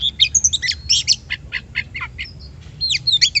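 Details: Oriental magpie-robin song used as a lure to provoke other birds to sing: rapid varied high whistles, sweeping slurs and chattering notes in quick bursts, with a short pause midway, over faint low hum.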